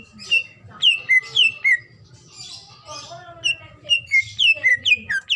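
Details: Greater green leafbird female, in breeding condition, calling the male, used to entice other leafbirds to call: fast series of high falling whistles, a short softer warbling middle section, then another rapid run of whistled notes.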